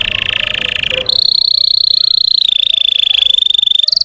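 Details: Russian canary song used as a lure to provoke other canaries: long, steady high-pitched rolling trills held as sustained bands, shifting pitch slightly after one second and again near the end, with no other sounds.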